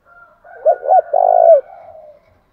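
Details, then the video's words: Spotted dove lure coo, male and female, thúc gù and gáy gọi styles, meant to rouse decoy birds: three rolling low coos, the last long and throbbing, over a soft buzzing hum that trails away. "Tiếng chim cu gáy mồi giọng lôi cuốn hấp dẫn đủ bài[ THÚC GÙ , GÁY GỌI ]"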